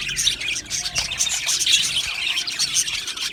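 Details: Budgerigars in an aviary colony chirping busily, with bright high twitters and a few clearer whistled notes rising above the crowded chatter.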